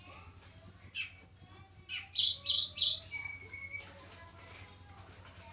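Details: Tledekan gunung from Java, kept for pairing and noted for its melodious voice: quick run of paired high chirps, then harsh scratchy notes, a level whistle and a few thin closing chirps.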